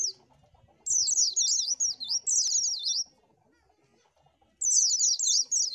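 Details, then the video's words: Oriental white-eye singing high-pitched, fast warbling runs of zigzag slurred notes, one long phrase of about two seconds, then silence, then another phrase starting near the end. "SUARA BURUNG PLECI AMPUH !!!"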